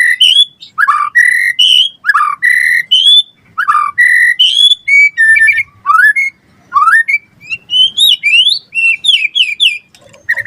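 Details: White-rumped shama in gacor song, a lure and tutor track: strong whistled phrases repeated in bursts with swooping upslurs, followed by quicker rising trills and varied twittering notes.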